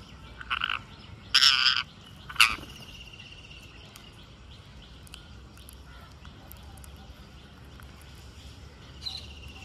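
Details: Green parakeet calling while feeding: three loud, harsh, ragged squawks in quick succession early on, then quieter faint chirps and one more soft squawk near the end over low background noise.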